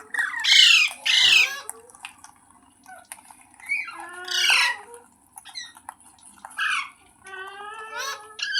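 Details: Pet ringneck parrot squawking indoors in loud, harsh, screechy bursts at irregular intervals, with some lower, wavering chattering notes between them.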